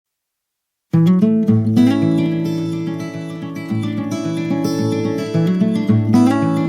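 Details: After a second of silence, strummed and plucked acoustic guitar music plays loudly, with no animal sounds.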